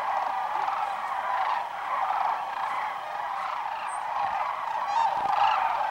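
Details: Sandhill cranes arriving in waves at Whitewater Draw, southeastern Arizona, around noon on January 1, 2012, on their winter migratory stop after foraging in fields; a thick chorus of rattling bugles, with a brief thin whistle and faint clicks.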